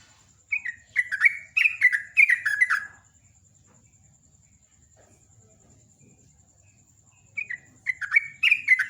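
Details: Morning ngecruk song by a sooty-headed bulbul, a dense burst of gurgling slurred whistles, four seconds of quiet, then another burst.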